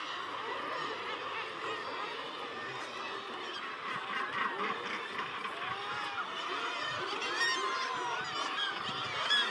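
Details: Northern gannets at their nesting colony on the steep coast of Helgoland: a dense chorus of harsh, grating calls overlapping from many birds, with a steady rough background wash throughout.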